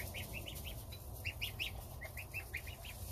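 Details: Goslings of domestic geese eating starter ration with their mother, father guarding outside; a steady run of short, high, chirpy peeps at about one per second or faster, over low hum.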